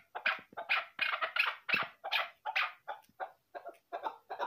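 A female chukar gives a rapid run of harsh, clucking chuck notes, about three a second, rough and slightly uneven in rhythm.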